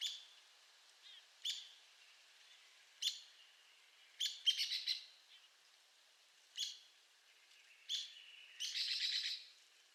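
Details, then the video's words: Arizona woodpecker giving sharp, high squeaky notes, mostly single and spaced a second or more apart, with short rapid bursts of several notes, ending in a brief chattering run. "Arizona Woodpecker Bird Sound"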